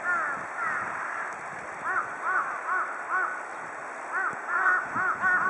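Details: A group of Large-billed crows bathing in water give short, hoarse arched caws in quick overlapping bursts, about two or three a second, over a steady high-pitched background hiss.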